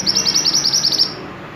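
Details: Actively singing white-eye used to tutor other songbirds: one quick, high-pitched trill of rapidly repeated chirps lasting about a second, then fading.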